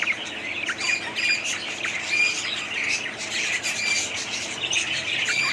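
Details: Budgerigars (Melopsittacus undulatus), a flock chattering nonstop, a dense mix of high squawks, warbles and quick chirps with no pause.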